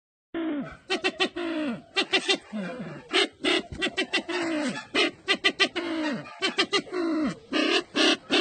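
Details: Red-eyed bird from Sumatra giving rapid, irregular runs of harsh, clucking notes with short descending tonal slurs, bursts packed about three per second with brief pauses between phrases.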